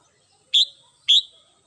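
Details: Red-whiskered bulbul at home in the morning, giving two loud, clear notes half a second apart, each a short bright whistle that trails off slightly lower.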